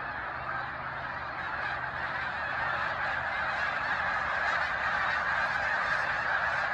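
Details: Snow geese in a big flock on Cayuga Lake's shore at Seneca Falls, New York, March 2021, producing a continuous wall of high, barking honks that grows slightly louder midway, countless birds calling at once.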